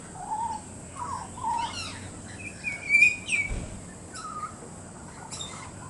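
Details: Young pied butcherbird, a fledgling visiting with a parent in the morning, testing its voice: varied clear whistled notes, some rising and falling slides, spaced with short gaps, plus a few higher chirps.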